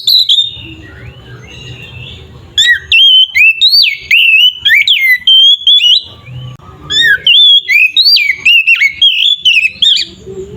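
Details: Oriental magpie-robin singing vigorously, a recording used to make other magpie-robins aggressive: a long sequence of loud, rich whistled phrases, with sharp slurs and trills, repeated in quick bursts with short gaps.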